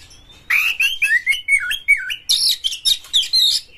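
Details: White-rumped shama, a champion singer with tail spread, used to provoke other shamas: a thin rising whistle, then looping whistled notes that dip and rise, followed by harsher high chattering phrases.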